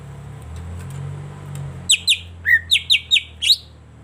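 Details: Greater green leafbird (cucak ijo) lure song for prompting silent birds to sing. After a quiet start with low hum, a fast burst of about seven sharp, clear whistled notes, mostly downslurred, follows around mid-clip.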